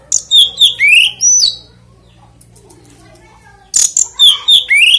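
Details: Kacer, the oriental magpie-robin, singing to provoke other magpie-robins; rapid chips and rising whistled slurs, a pause with faint low sounds, then another burst of high whistles and chips.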